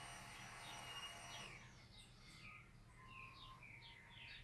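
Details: Green-winged saltator (Saltator similis) sings a short 'mateiro'-style song: a quick run of clear, falling whistles, after a brief burst of engine-like mechanical noise.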